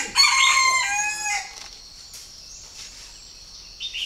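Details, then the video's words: Purebred captive Chinese francolin from a bird farm in Ba Vì, Hanoi, Vietnam, giving one loud, harsh, strongly harmonic phrase of about a second and a quarter, dropping slightly at the end, followed by quiet background with a faint distant chirp. "CHIM ĐA ĐA THUẦN CHỦNG GÁY"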